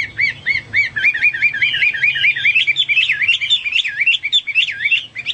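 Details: Hwamei singing in a rich, energetic stream of whistles, starting with a few separate rising notes, then rolling into fast wavy, warbling trills that rise and fall continuously.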